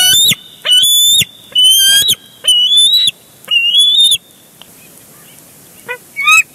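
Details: Nest-cam audio of bald eagles at Big Bear Lake, 23 June 2022, contesting a big fish: five strong, shrill, upslurred whistles, then quiet with a few brief, weaker chips near the end.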